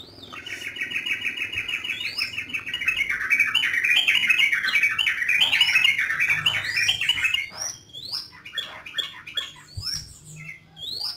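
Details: Yellow-vented bulbul singing actively: a fast, dense run of bubbly chattering notes for about seven seconds, with sharp upward-swept whistles scattered over it, then sparser slurred notes near the end.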